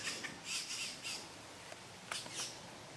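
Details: Red-bellied grackle chicks, three in the nest, being fed in La Romera reserve, Antioquia, Colombia, 2012: a short series of hoarse, scratchy squawks, several closely spaced, then a brief pause before a few more.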